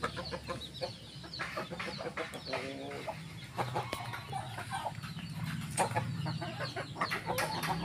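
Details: Chickens, both hens and roosters, kept in a garden; a dense mix of short clucks and harsher squawks from several birds, over a low rumbling background hum.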